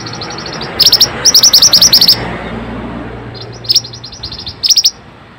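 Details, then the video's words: Pied bushchat singing briskly, played as training audio to restore stressed or silent birds' singing. Quick, high, ticking notes run into dense chattering bursts, then short clipped phrases, with a low hum underneath. "Pancingan burung Mantenan gacor ll Cocok untuk burung mantenan malas bunyi"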